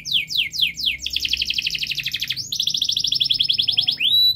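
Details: Canary song used to train young canaries: a few falling whistles, then long rolling trills, one after another, with brief rising slurs linking the trill sections.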